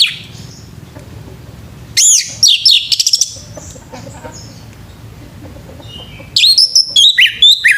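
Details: Male orange-headed thrush singing in the morning: a ringing, looping whistled phrase, then a pause, then a fast string of jumbled high notes.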